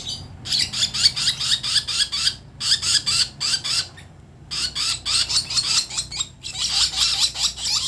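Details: Young lovebird chick learning to make sounds: harsh, raspy high calls in rapid series of about eight to ten notes, broken by short pauses, repeated four times over a low indoor hum.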